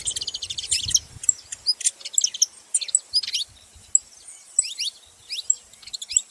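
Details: Saffron finch with a dense burst of high, chattering, buzzy notes at first, giving way to sparser, sharp, rising chirps. Faint low rumbling is audible at the start.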